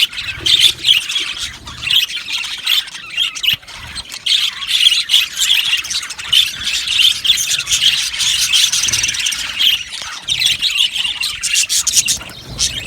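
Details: Many budgerigars in an aviary colony chirping together, a dense continuous chatter of high squawks, squeals and warbling notes with no pauses.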